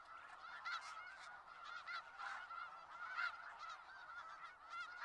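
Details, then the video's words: Snow geese in Skagit Valley calling as a flock, nasal yelping honks overlapping continuously, with stronger individual calls standing out about every couple of seconds. "Sounds of Snow Geese"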